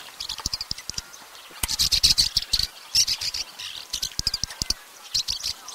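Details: Swallow in Russia: busy high twittering in bursts, loudest in the middle, with many crisp clicks and ticks throughout.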